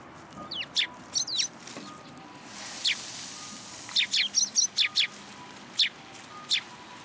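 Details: Sparrows coming to a raised platform for food at a Tenmangu shrine on 14 February 2023: crisp high chirps, a few early, then a rapid run of about seven, then two more spaced singly.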